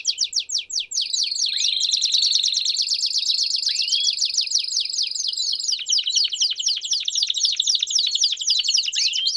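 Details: Canary Campainha song with chirps, meant as a tutor for young canaries. A few loose chirps lead into a dense, rapid high roll with a faint thin whistle above it. The roll then changes to a coarser trill of separate notes.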